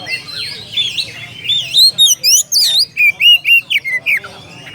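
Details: Rival-calling oriental magpie-robin giving sweeping whistled notes that rise and fall, followed by a run of short emphatic chirps about twice a second.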